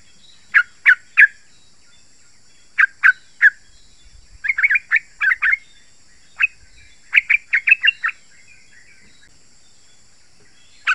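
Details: Yellow-vented bulbul song used to lure and set off other bulbuls: sparse groups of three sharp notes, a quick chattering run, then further short note clusters with silence between.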